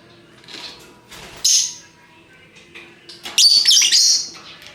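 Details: Lovebirds of various colours in lively ngekek chatter: two loud, high, harsh rattling bursts, the second longer and more intense, with softer chirps between them.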